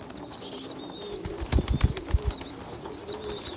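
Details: Young pigeons, a weak small one feeding stronger youngsters; brief high squeaky whistles alongside a series of dull thumps and flapping knocks midway.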